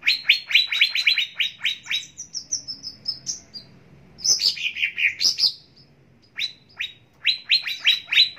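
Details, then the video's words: Greater green leafbird, a training and lure recording meant to make caged birds sing quickly. Fast runs of sharp high chirps, about four a second, give way to slurred, descending warbled notes, then more rapid chirping. "Pancingan Dan Masteran Cucak Ijo Pagi Siang Sore Dan Malam Agar Cepat Gacor"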